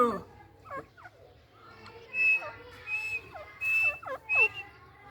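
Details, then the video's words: White Dhakni teetar, a rare white variety of partridge kept as a pet, calling. Short notes that sweep sharply downward come in loose groups, mixed with thin high whistled tones, and voices are heard in the background. "White Teetar Voice"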